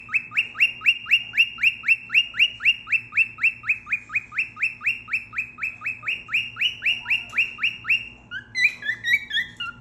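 A cockatiel gives a fast run of bright, identical whistled chirps, about four each second.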